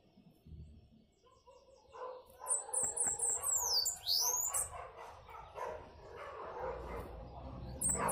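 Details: A hand-held pet Bananaquit gives thin, very high, hissing notes in rapid buzzy bursts, with a sharp downward sweep midway, over lower clattering sounds and possible barking.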